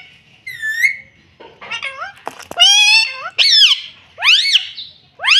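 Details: A pet rose-ringed parakeet says "mummy" in quick, nasal, strongly harmonic bursts, syllables arching up and down, about one each second, a scratchy squawk among them.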